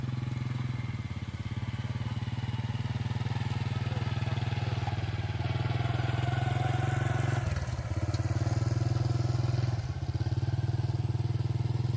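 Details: A steady low engine drone like a motorcycle idling runs throughout, with a brief dip near the eighth second and no animal voices.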